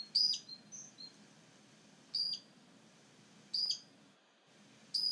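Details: Great grey shrike (Lanius excubitor) at Stjørdal, Trondheim Airport, Norway, on 3 April 2019, singing short, high, chirping phrases about every one and a half seconds, with softer notes between and a low hum beneath.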